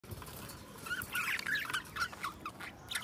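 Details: Two pet budgerigars singing and talking; soft, scratchy warbling chatter with short rising and falling chirps against a steady hiss.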